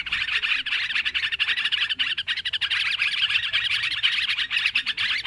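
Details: Flock of noisy sooty-headed bulbuls on a lure track for trapping: dense, lively chatter of quick sharp notes, several birds calling at once without a break.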